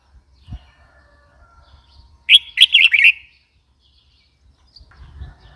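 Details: Red-whiskered bulbul delivering one clear bubbling phrase of about five quick notes, surrounded by quiet gaps and faint low background noise.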